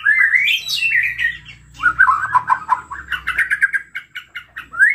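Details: Excited white-rumped shama used to prompt other shamas to sing, opening with a rising whistled sweep, then a rolling run of mid-pitched notes and a rapid series of short repeated chips, ending on an upward whistle.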